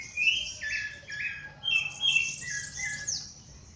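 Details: Dawn birdsong outdoors: clear whistled notes and quick chirps from several birds, bursts every half second or so, layered with high, thin twittering and a soft low hum beneath.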